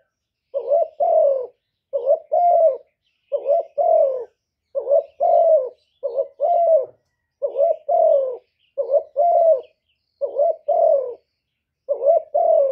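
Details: Long, even sequence of spotted dove coos, about eleven paired phrases over thirteen seconds, each a short wavering note then a fuller falling croo, regularly spaced with brief silences and no background sounds.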